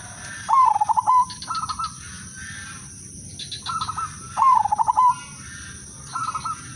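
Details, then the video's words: Zebra dove of the Udanmas Silver type singing a melodious lure song meant to get other doves singing: two phrases, each a short rising note, a fast stuttering coo trill, then separate clipped notes, with a steady electrical whine. "perkutut/merbok udanmas silver irama merdu spesialis pancingan bikin semua perkutut ikut manggung"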